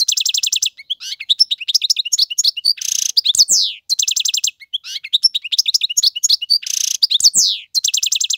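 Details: Song of a male European goldfinch meant for tutoring young birds: bright liquid twitters, quick trills and a buzzy rasping note, the whole phrase sequence repeated twice.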